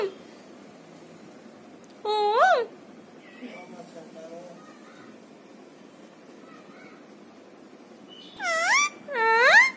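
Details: A talking parrot kept as a pet makes one rising, bending nasal call early on, then faint murmurs and a long quiet stretch, ending in two loud wavering harmonic calls close together.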